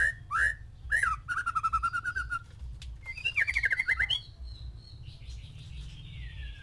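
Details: Captive male white-rumped shama kept among six females to stir courtship: clear whistled notes, then a wavering trilled whistle, a rapid rattling burst and fading high tones.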